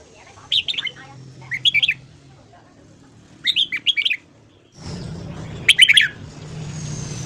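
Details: Morning singing of a red-whiskered bulbul for voice training, four brisk chirpy phrases of tumbling notes in quick succession, the last one louder and set against a sudden low rumbling background noise.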